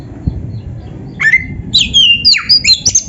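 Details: Oriental magpie-robin (kacer) song for tutoring caged birds: after a quiet start, a falling whistle, then a fast series of high, sharp, varied whistled phrases, over low background noise.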